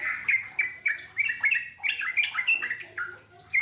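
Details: Wild sooty-headed bulbul (trucuk) in ngeropel panjang song, used to lure wild birds into answering; short, sharp whistled notes repeated roughly every third of a second, merging into a quick bubbling run.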